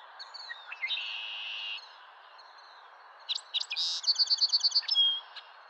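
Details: Male song sparrow singing on April 10, 2023: a long buzzy note, a pause, then a few sharp separate notes leading into a fast, even trill of about seven clear notes. A faint low hum lies underneath.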